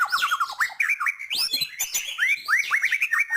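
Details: White-rumped shama in full, varied song meant to stir other birds: rapid rich whistles, sweeping rising and falling notes, quick trills and harsh squawky phrases running continuously.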